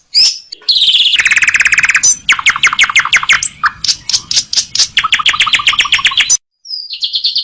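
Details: Asian pied starling singing a rich masteran sequence: harsh buzzy notes, then rattling series of sharp repeated chips in several runs, ending with a thin whistle after a short pause.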